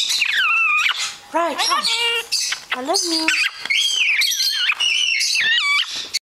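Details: A female Hahn's macaw (red-shouldered macaw) sitting in a cereal box she climbed into blows kisses, says "Hi", "Hey Baby" and "I love you" and laughs in quick high squeaky bursts, while lovebirds and a Moluccan cockatoo screech in the background.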